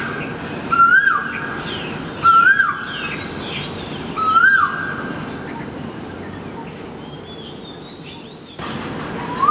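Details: Asian koel calling outside a window before dawn: three strong rising whistles at about one-and-a-half-second intervals, then a quieter pause with faint distant bird notes before another call begins right at the end; constant low hiss throughout.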